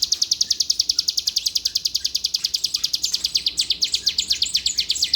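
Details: Bar-winged prinia (ciblek) from a Palembang judge's bird, giving quick, piercing high notes in an even series that turns slightly rougher and more varied near the end, with soft faint chirps below.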